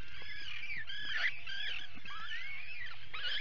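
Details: Atlantic puffins at a burrow during an attack, 19 July 2019, recorded by a live burrow camera: quiet, wavering, rising-and-falling harmonic wails overlapping one another, over a low steady rumble.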